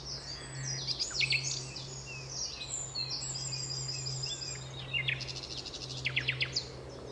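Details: Nightingale song recorded at Alners Gorse, Dorset: varied high phrases mixing whistles, buzzy trills and fast clicking rattles, with a low steady hum beneath.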